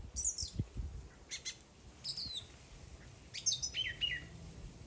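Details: A bird sings quieter, very high chirps and brief buzzy phrases, ending in falling whistled notes, over faint low background noise.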